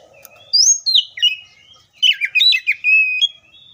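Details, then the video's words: Copsychus saularis, the oriental magpie-robin, delivering a sweet whistled phrase, then a busier jumble of rapid chirps and slurs, closing on a sustained clear note; a brief low buzz sounds at the start. "BIRDS COPSYCHUS SAULARIS 3 SECONDS AGAINST AUTO EMOTIONS!"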